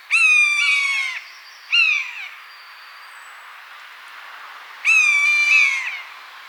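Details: Three plaintive mews from a wild buzzard in its natural habitat. The first and last are long, about a second each, and fall away at the end. The middle one is shorter. Faint hiss between calls.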